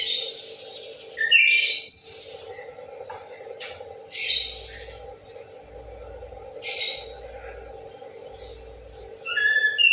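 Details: Orange-headed thrush singing loudly in the morning: scattered bright bursts of whistled and scratchy phrases, some sliding, separated by pauses of a second or more, over a steady low mechanical hum.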